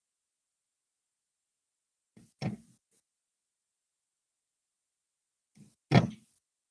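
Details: Two dull knocks about three and a half seconds apart, each with a faint lead-in tap, separated by near silence.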